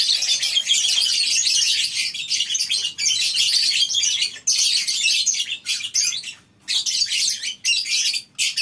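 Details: A morning chorus from a flock of lovebirds kept together in a colony cage on a breeding farm. Thick, high, rasping twitters come in long bursts, broken by short silent gaps toward the end.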